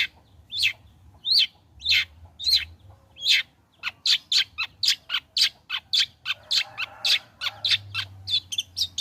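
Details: Long-tailed shrike singing steadily, used as a lure to prompt other shrikes to sing: harsh, scratchy high notes, at first spaced about half a second apart, then quickening into a dense run of chattering bursts.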